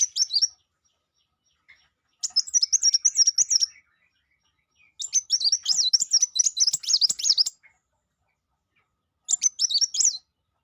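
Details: Sangkrut bird song in four bursts of fast, high-pitched twittering chatter, the longest running nearly three seconds, notes rapid and jumbled, separated by short silences.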